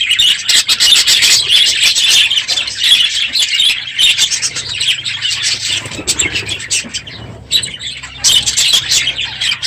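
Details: Noisy morning budgerigar flock in an aviary as the breeding season ends; dense high twittering that fades slightly toward the end, then swells again, with a faint low hum.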